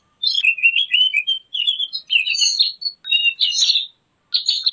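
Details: Javan grey-throated white-eye song used as a lure and training recording for catching or tutoring birds: a busy run of high, twittering chirps and short warbled phrases, broken by brief pauses, with a final burst after a short silence.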